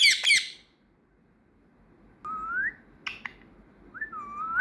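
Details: Trained pet female parrot that has recently started whistling. A brief harsh squawk opens, then after a pause come clear tonal whistles, slurring upward and falling, with short sharp clicks, over a steady background hiss.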